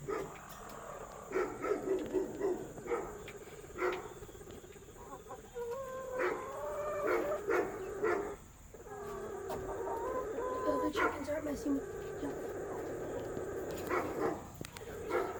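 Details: Three hens calling at once while getting ready to lay eggs: irregular overlapping squawks and wavering, drawn-out harmonic calls, some rising and falling, coming in uneven bursts, over a steady high background hiss.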